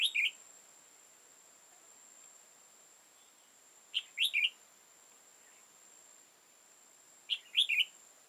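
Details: Old wild red-whiskered bulbul with tall crest and dark bib, decoy trapping, 15 October 2018: crisp three-note whistled bursts repeated about every three to four seconds over an unbroken high-pitched whine.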